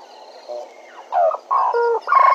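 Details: Bennett's woodpecker at Djuma: after a faint start, three loud, nasal, harmonic bursts of call notes follow in quick succession. Each lasts about a third of a second, with a quiet background.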